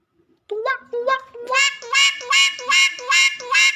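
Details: Nias hill myna that can talk: a fast series of nasal, harmonic quack-like syllables, about eight in three seconds, short and low at first, then louder and brighter, with no other sounds.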